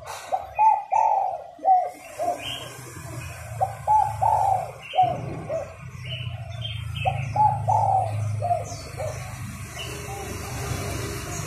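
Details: Female spotted dove cooing to stimulate males to sing: soft, low paired coos in short phrases, repeated every few seconds over a steady low hum, with faint high chirps from other small birds.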